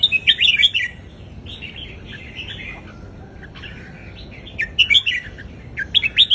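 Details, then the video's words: Southern Thai caged red-whiskered bulbul giving its Indo folk-style song, meant for teaching young birds: loud bubbly phrases open and close the recording, with a quieter, softer warble between them. "นกกรงหัวจุกอินโดเพลงพื้นบ้านนกใต้เพราะๆ เปิดสอนลูกนก ยั้วนกฟังนกคึก"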